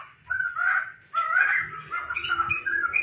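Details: Tame, actively singing laughingthrush at home gives two loud whistled, slurred phrases, followed by a steadier string of clear, mid-pitched notes.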